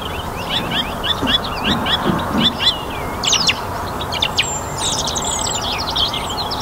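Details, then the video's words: Song thrush singing at dusk in a North Antrim garden after a warm, sunny spring day: a run of short, sharp notes repeated rapidly for about three seconds, then higher varied phrases, with other birds singing in the evening chorus. "Song Thrush - evening chorus in my North Antrim garden."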